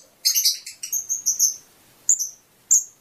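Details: Fischer's lovebird chirping to stimulate mating: a rough opening squawk, then a run of thin, piercing whistled chirps, and two isolated sharp notes after a pause.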